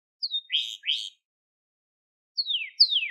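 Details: Sparse phrases from a crested Gloster canary: a falling whistle and two rising slurred notes, a pause, then two sharply descending whistled sweeps.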